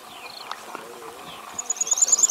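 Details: Jerdon's bush lark in Sri Lanka, a bird of open scrub, gives thin, high whistled notes, then a quick run of sharp, rising pulsed notes at the end, over faint background murmur.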